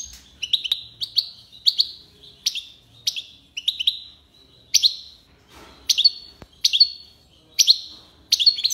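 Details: European goldfinch, called mqnin or hassoun, singing the tiwawati and lipassade song styles: bright, high twittering notes in short bursts, with rising and falling chirps about every half-second and brief pauses between phrases.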